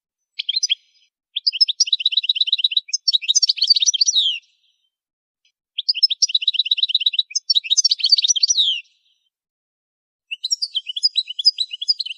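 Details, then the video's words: A goldfinch's song used for training songbirds: bright, high twittering phrases mixed with fast buzzy trills, in three bursts a few seconds long separated by short silences. "Song Goldfinch"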